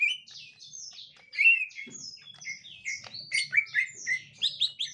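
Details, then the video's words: Green leafbird, gotri type, reacting to a young wild leafbird: a continuous jumble of sliding whistles and sharp chirps that grows louder and faster in the second half, over faint hum. "Tingkah Cucak Ijo Gotri Saat Di Temukan Cucak Ijo Muda Hutan"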